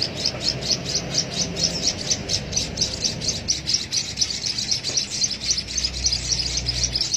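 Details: Hand-fed Javan munia chick begging while fed from a used straw: a steady run of sharp, high chirps, roughly two per second, rapid and insistent throughout.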